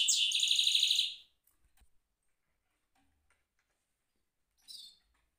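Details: Caged goldfinch mule gives one loud, fast pulsing trill of about a second, followed by near silence and a short soft twitter near the end.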